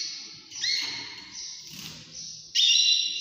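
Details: Canary singing in the early morning, with steady high trills and a bright whistled tone in between, then a loud burst at the end.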